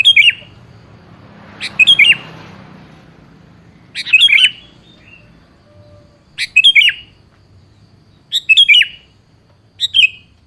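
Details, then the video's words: Song of a sooty-headed bulbul, used as bait to make another bird call back: short, jaunty warbling phrases spaced about two seconds apart, six in all, over quiet low background noise. "pancingan suara burung kutilang yang jarang bunyi"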